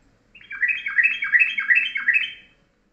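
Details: Yellow-vented bulbul singing a ropelan-style morning master song with short, tight phrasing: a quick, even run of about ten bubbling, downslurred chirps lasting two seconds, with faint low hum behind.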